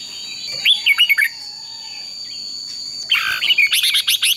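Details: Red-whiskered bulbul song meant to rouse birds into fighting song. Two bursts of rapid whistled and chattering notes are separated by a quiet stretch over a constant high-pitched background tone.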